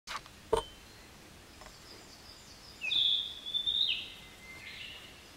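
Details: Narcissus flycatcher singing: after a sharp click near the start, a clear whistled phrase around the middle, high notes sliding and wavering, then a lower drawn-out whistle rising at the end; quiet background.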